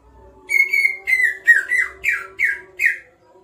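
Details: Greater green leafbird in energetic song, a long whistled note followed by six shorter downslurred, somewhat harsh notes spaced about half a second apart, with a steady low hum indoors.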